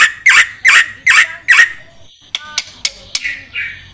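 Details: Javan pied starling song used as a training recording for songbirds: four loud, harsh rasping notes about every 0.4 seconds, followed by sharp clicks and a short buzzy phrase.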